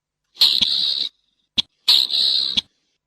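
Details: Slaty-breasted rail calling: two harsh, rasping bursts of about 0.7 seconds each, separated by a single sharp click, with short ticks at the end of each burst; quiet background with no other sounds.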